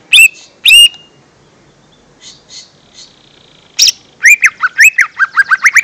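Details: Lure sound of the lesser green leafbird for young birds: two loud whistled chirps, a quiet pause with faint notes, then a fast, lively run of about a dozen bouncing, slurred whistles.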